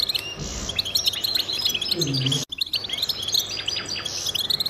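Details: Song of a male goldfinch used for holding territory and attracting mates: fast, jingling high-pitched twitters and short trills, with a low murmuring sound underneath partway through and a sudden brief gap of silence.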